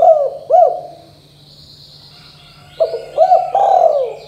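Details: Spotted dove of the 'kuk 2' style cooing: two quick hooked coos, a pause of nearly two seconds, then two more short coos running into a long, smooth, slowly falling note, with faint higher chirps of other birds.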